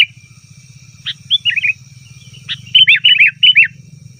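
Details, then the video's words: Sooty-headed bulbul call used to lure wild bulbuls in forest: short bursts of bubbly, slurred notes around mid-high pitch, a loose rapid phrase near the end, with a steady low hum and faint high tone underneath. "suara burung kutilang ribut||ampuh untuk panggilan kutilang di hutan,kutilang di rumah pasti Nyaut"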